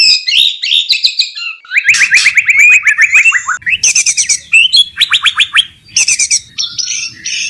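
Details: White-rumped shama in breeding condition, wanting to mate, singing in the wild: a loud, fast medley of bright whistles, rapid trilled runs, and sharp high chips with rising and falling notes, almost without pause.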